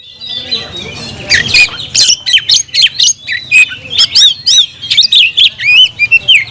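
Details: Oriental magpie-robin in full song, calling a rival to fight: a dense, continuous stream of high, varied whistles, slurred up and down notes and scratchy chirps in quick phrases, with barely any pause.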